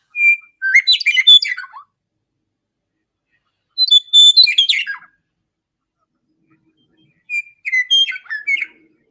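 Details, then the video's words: Western Meadowlark song, a grassland bird of open country: three bubbly, flute-like phrases, each opening with clear whistles and tumbling into rapid gurgling notes, repeated every three to four seconds; more bubbly than the whistly Eastern Meadowlark. "And notice how much more bubbly it is sounding than the eastern meadowlark."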